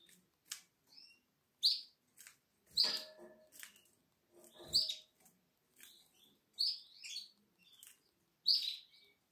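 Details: Week-old Atlantic canary nestling recorded 12 April 2022: faint high-pitched squeaks and peeps repeated irregularly about every second or two, mixed with soft clicks and rustling handling noises.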